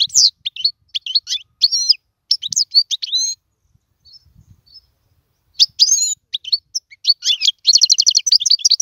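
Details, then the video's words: European goldfinch song meant as a tutor for young birds: bright chirping phrases, a two-second silent gap, then quick twittering ending in a rapid buzzy trill. "اسمع المقنين واعطي رايك فيه,افضل تغريد لتعليم الفراخ"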